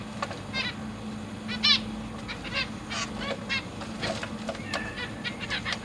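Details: Zebra finch family in a large cage, parents feeding young chicks and juveniles, August 2023: many overlapping short nasal harmonic calls from several birds, irregular and busy, with a low steady hum beneath.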